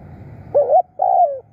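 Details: Spotted dove kept as a decoy caller bird for luring wild doves, giving two loud mellow coos, the first short and wavering, the second longer and falling slightly, over a faint low rumble.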